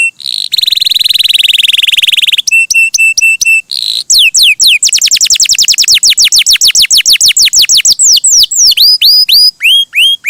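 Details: Canary song, gacor and melodious: a long buzzy trill, a few clipped metallic notes, then an extended run of rapid descending whistles ending in rising upslurred phrases.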